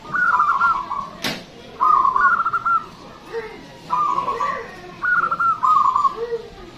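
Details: Local zebra dove in lively singing form, loud and long-voiced, used as a lure for other birds: buzzy, trilled cooing phrases near one pitch, four phrases spaced about one to two seconds apart, with one sharp click between the first two.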